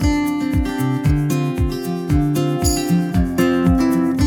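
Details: Strummed acoustic guitar music with a steady plucked bass line fills the recording, and no animal sound is present.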